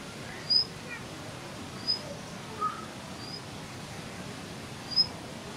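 A Plumbeous water redstart gives thin, very high, squeaky notes, sparse and a second or more apart, over steady rushing hiss like a nearby stream.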